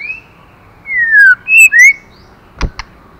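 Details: Female white-rumped shama stimulating the male: clear whistled notes, a long falling whistle then two quick rising ones over about a second, followed by two sharp clicks in a quiet setting.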